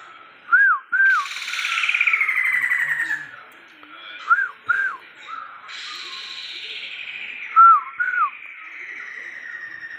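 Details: Caged Sumatran laughingthrush, tame and very vocal, mixing short hooked whistled notes with long harsh rasping chatters, the whistles repeating in small pairs between bursts; faint voices nearby.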